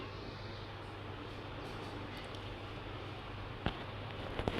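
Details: Steady low hum and broadband background noise, with a few sharp clicks near the end and no animal voice.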